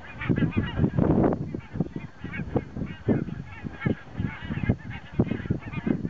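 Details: Resting flock of migrating geese, including Arctic breeders, on a lake near Stockholm, Sweden, 22 September 2009, in strong wind; continuous cackling honks, many birds calling at once, in quick irregular bursts over steady wind noise.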